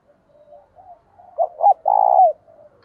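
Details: Caged spotted dove kept as a decoy bird, calling to lure wild doves: soft quiet murmurs, then two short rising coos followed by a longer, loud, purring coo that falls away at the end.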